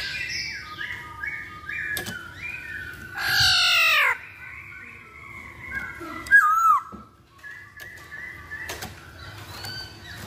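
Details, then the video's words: Masked laughingthrush song used as a lure for singing birds. A series of stepped whistles leads into a loud harsh, rasping burst, then a sharp looping whistle and a few level whistled notes, with clicks between them. "Pancingan Poksay Hongkong Paling Ampuh"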